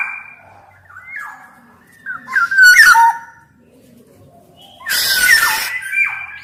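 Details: Black-naped oriole in full song, used to tutor and stir up quiet orioles: short falling fluted whistles broken by two loud, harsh, rasping bursts with fluty notes running through them, indoors.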